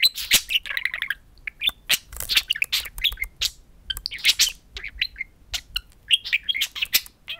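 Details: Pet budgerigars, two of them, chatter to a mirror indoors; continuous fast warbling of high chirps, trills and clicks with a few louder squawks throughout.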